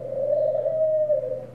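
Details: Pigeon giving a long, smooth, low coo that holds a steady pitch and swells slightly in the middle, over a faint constant low hum.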